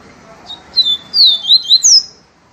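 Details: Viviti-style song of a yellow-bellied seedeater: a short opening chip, then a run of bright whistled slurs that rise and fall, closing on a high downward sweep over faint background hiss.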